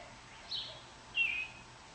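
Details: Young Bluebirds in their nest, one of five raised from hatching in late June 2019 to fledging on July 14: two short, high, thin notes about half a second apart, the second slightly lower and longer, against faint hiss.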